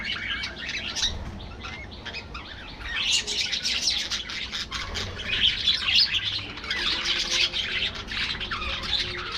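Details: Budgerigars in an aviary colony chattering together: dense, overlapping high chirps and warbled twitters that run without pause, growing louder after the first three seconds.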